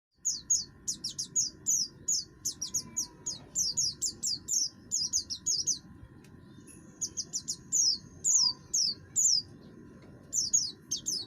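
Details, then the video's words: Oriental white-eye of the buxtoni form, a caged bird in full song with a harsh voice meant to provoke other birds into singing; rapid high, sharply descending chirps repeated in quick bursts over low background hum. "pleci buxtoni gacor, suara kasar, cocok untuk memancing bunyi"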